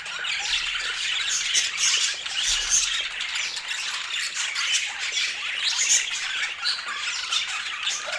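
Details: Pet budgerigars in bright colors keep up a nonstop chorus of scratchy chirps and squeaks, many birds overlapping, with occasional sharper whistles and a soft low thump near the start.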